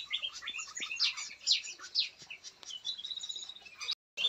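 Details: In an aviary, small bulbuls (cucak mini and cucak ranting) that have adapted to living as if wild chatter in a busy run of bright, high chirps and short slurred whistles, about two notes a second, with several birds overlapping.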